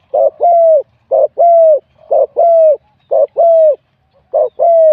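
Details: Spotted dove, wild-born, competing in a singing contest and scored 87 points for its middle-to-big voice. Five regular coo phrases, roughly one per second: a short double note, then a drawn-out, slightly descending coo.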